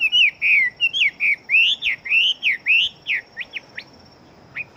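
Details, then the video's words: Chinese hwamei kept as a fighting bird, singing fast and strongly. Loud, warbled whistles run in a tight series, then thin into a few short, sharp upslurred notes before a pause. "Họa Mi Chiến Siêu Mau Mỏ Bộ To Hót Tốt"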